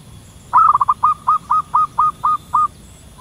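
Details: Local zebra dove in the wild, calling to companions from a treetop: rapid tumbling coos give way to a steady run of short, bright, identical cooing notes, about four each second, with a faint low hum behind.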